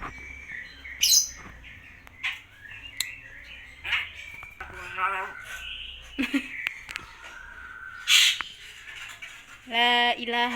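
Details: Common hill myna mimicking human speech and coughing, with phrases such as Assalamualaikum and Allahuakbar: harsh squawks and nasal, voice-like bursts scattered through the clip, ending in a louder harmonic phrase.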